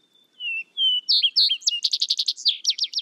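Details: One complete vesper sparrow song: two low, slightly falling whistles, a few higher slurred notes, then a quick series of sharp, evenly spaced trilled notes.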